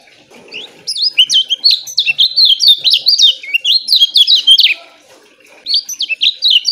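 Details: Lemon-bellied white-eye (kecial kuning) song used as a training recording for caged birds, a loud, steady, fast and closely spaced phrase: rapid high chirps and sweeping whistled notes in a dense burst of about four seconds, pause, then a second shorter burst.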